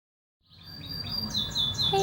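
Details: A starling in Ubud, Bali, conversing with a person, gives a run of high, squeaky chirps, ending in a short, lower mewing note like a cat's meow; faint background hum throughout.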